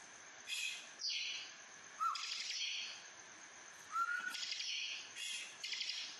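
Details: A captive bar-winged prinia gives about six harsh, buzzing bursts in quick succession, with a couple of brief, lower whistled notes slipped between them.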